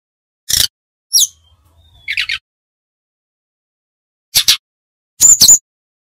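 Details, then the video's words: Brown-chested jungle flycatcher from Bali with sparse high notes: a few sharp chips, a falling whistle and a short buzzy trill, ending in a brief high warble. "Burung sikatan rimba dada coklat ori bali - Belajar nyiul / nyuling GACOR"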